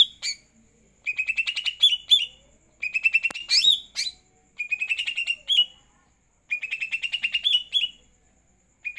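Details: Greater green leafbird in steady song after a night bath, delivering rapid chattering trills ending in rising whistled flourishes, about one phrase every two seconds, with a single sharp click partway through.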